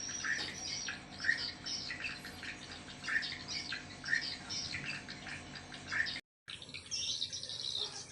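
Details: Swiftlet call: sharp chirps, each with a bright accent, repeated about once a second. Fainter twittering fills the gaps, and the sound cuts out briefly near the end.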